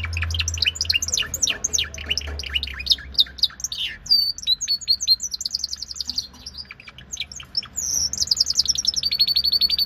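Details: Timbrado Español canary from Greece delivering dense high song: quick descending chirps and buzzy notes in bursts, a brief pause, then fast metallic rolling trills repeated many times per second.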